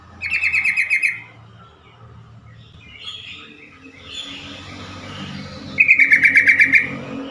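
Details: Yellow-vented bulbul calling, a recording meant to draw answers from other bulbuls and start stressed or silent birds calling: two loud, rapid, harsh chattering bursts several seconds apart, with quieter warbling between and low background hum.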